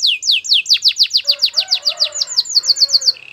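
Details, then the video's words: Canary song used for training: rapid, evenly repeated falling whistles, roughly five or six per second, then a high quick rattling close, with a faint lower warble underneath. "The best canary singing video ever"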